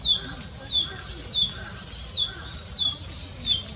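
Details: Small bird singing in a nearby park: short, thin, high notes repeated about every 0.7 seconds, six in all, over a steady background hiss.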